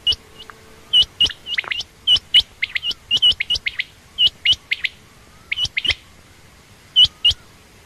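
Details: Lively run of high, clipped chirps from a female quail, common or rain quail, grouped in short bursts with pauses, some notes hooked, a few softer low whistles in the background.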